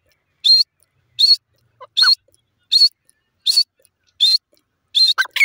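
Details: Grey francolin, known locally as teetar, giving loud, ringing, high-pitched notes repeated about every 0.75 seconds in a steady series, with a few faint, softer notes between them and otherwise quiet surroundings.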